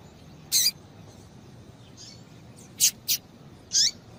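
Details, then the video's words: Calls of a female Double-collared Seedeater, used to warm up a male into song: a lone high chip, a pause, then a quick pair and one longer buzzy note, with soft background hiss. "Piado de Fêmea de Coleiro para Esquentar Coleiro"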